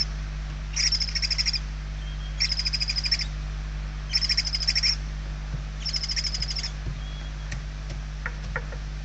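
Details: Hungry barn owl nestlings in Spain, late November 2023, making four pulsed rasping hisses at even spacing, then a quieter stretch with soft clicks and taps.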